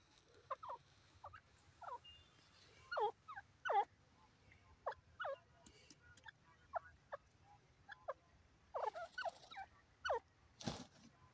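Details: Grey francolin calling: a steady series of short, harsh, downward-sweeping notes, repeated roughly every half second and grouped in bursts, with a brief rustling noise near the end.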